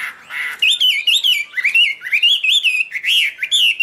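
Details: Chinese hwamei displaying with waved wings and tail, singing loud, high and pure; a brief burst of harsh noise, then a series of rising-and-falling slurred whistles repeated one after another.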